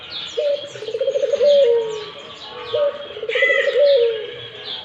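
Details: Barbary dove calling persistently: two low rolling coos, each a short rising note, a quick trembling run and a drawn-out falling tail, about two seconds apart, with small birds chirping and twittering higher behind.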